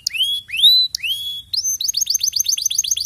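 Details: Canary singing slow, rising, drawn-out whistles, then switching to a brisk series of clipped, downslurred notes repeated about six times per second, quiet background.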